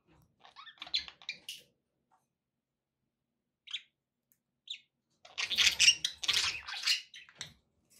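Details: Pet budgies chirping, a few scattered bright squeaks followed by a loud run of rapid, scratchy warbling chatter lasting about two seconds.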